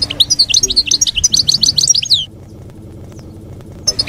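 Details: European goldfinch singing in the wild-style 'campero' manner, used for teaching young goldfinches to sing: a fast, dense run of high, liquid twittering and tinkling notes lasting about two seconds, a pause, then a short burst resuming at the end.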